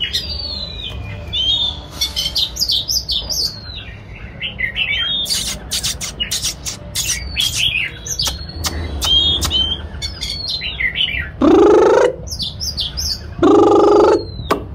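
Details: Displaying white-rumped shama delivering extended song: repeated whistled and warbled phrases interspersed with sharp clicks, roughly one phrase every two seconds, plus two loud harsh nasal calls near the end; faint low background rumble.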